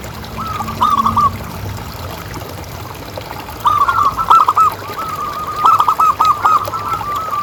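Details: A zebra dove of local stock gives soft, rapid staccato coos run together into rolling trills. The bursts are separated by quiet gaps, over a steady low hiss. The recording is used to prompt other doves to call.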